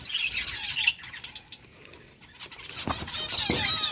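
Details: Lovebirds chirping while eating boiled rice, a flock giving quick, high, scratchy chirps that blur together in a busy first second, then sharper separate chirps near the end, with faint rustling between.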